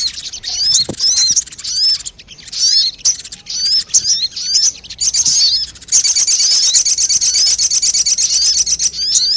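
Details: Crested jay call used as a lure recording: short, high, hooked chirps repeated in loose bursts for six seconds, then a sustained, fast, buzzy rattle to the end.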